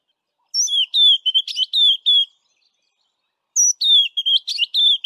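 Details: A white-browed scrub robin west of Grahamstown sings its same phrase twice, each a rapid string of clear whistled notes, falling slurs and a buzzy chirp, with a pause of over a second between them.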